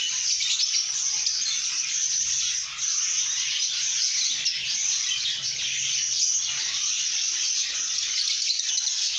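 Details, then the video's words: Lovebirds in good mood chirping and singing nonstop, a steady high twittering chorus with a brief dip in loudness partway through and a faint low hum. "lovebirds singing & chirping sounds"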